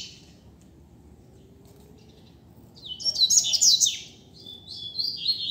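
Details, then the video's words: After a quiet stretch, one bright, fast, high-pitched warbling phrase rises sharply, from an unconfined Double-collared seedeater singing in a street, a tutor song meant for teaching other birds. "COLEIRO SOLTO NEM SABE PRA ONDE VAI!!! Dando Show na Rua!!! - Coleiro Professor Aprendizado"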